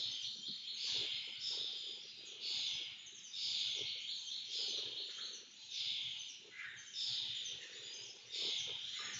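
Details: Lesser kestrels begging while being fed: continuous raspy, hissing screeches pulsing in loud waves, with occasional short sharper notes and faint low background noise.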